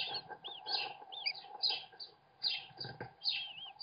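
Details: American kestrel nest on a live webcam as the father feeds his chicks; short arched chirps and rising-falling squeals come in quick overlapping bursts, several per second, with a steady low hum underneath.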